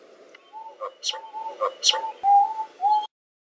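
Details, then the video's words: Lyrebird mimicking sounds such as cameras, cars, chainsaws and people, here apparently a car alarm: steady mid-pitched whistled tones broken by sharp clicking, shutter-like bursts, roughly two per second, over a faint background hum. "Lyrebird imitando,câmeras,carros, motosserras, e até mesmo pessoas!"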